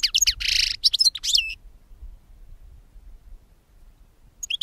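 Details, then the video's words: European goldfinch singing, a recording meant for luring birds to capture: a quick run of liquid twitters and a harsh buzzy note, then near silence before a last chirp. "Chardonneret qui chante - Pour capture d'oiseaux"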